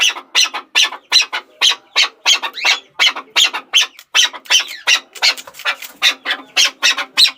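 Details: Chukar partridge uttering a quick series of grating chuck notes, slightly irregular in spacing, with occasional rising slurred notes between the harsh bursts.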